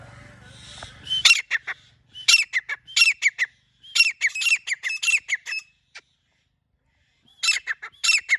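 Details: Grey francolin hen, recorded in a hunting context, delivering bursts of strident, squawking notes in clusters of four to eight separated by short pauses, after a brief low hum at the start.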